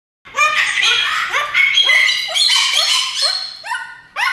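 A cockatoo talks in a run of harsh, nasal, speech-like syllables, rising and falling for about four seconds, with a brief final burst.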